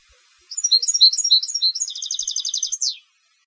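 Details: Competition European goldfinch: varied high twittering notes leading into a fast, even trill of tinkling notes, finished with a sharp downward sweep.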